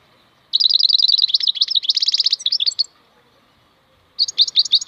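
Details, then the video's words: Wild European goldfinch (maknine khalwi) pouring out a fast, continuous stream of high twittering and buzzy notes for over two seconds, pausing, then resuming with another quick burst of chirps. "MAKNINE KHALWI super chant"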